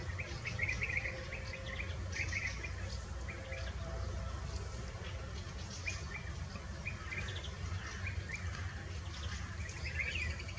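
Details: In the Eifel region of Germany, fieldfares eat berries and keep up clusters of rapid, harsh chak-chak notes, with frequent bursts throughout and a constant low background roar.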